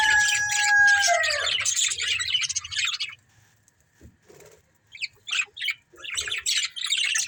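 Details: Breeding pair of budgerigars: opening whistled notes slide downward, then busy buzzy chirping chatter, a near-silent pause, and short scattered chirps toward the end.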